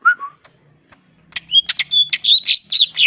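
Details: Greater green leafbird singing constantly, full of filler phrases, ngentrok style, crest raised: two low slurred whistles, a pause, then a rapid string of high chirps and scratchy notes.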